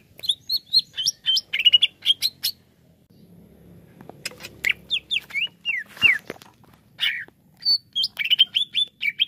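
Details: Greater green leafbird, a kept songbird, singing fast chirped and whistled notes, a quiet gap, then harsh slurred squawks and bright chirps resuming.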